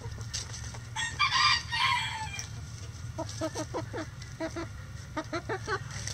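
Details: Backyard chickens going about their daily activity: a loud burst of harsh, broadband squawking early on, then runs of short, clipped clucks in quick irregular clusters over a steady low background hum.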